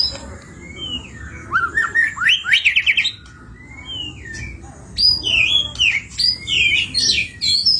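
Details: White-rumped shama singing at full volume with much variety, a song used as a lure to get other birds singing: clear whistled slurs, rising sweeps and buzzy trills in quick bursts, with a brief pause midway.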